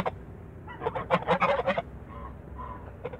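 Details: Toulouse geese kept in a backyard give a short burst of quick, nasal honks in the middle, with quieter background sounds before and after.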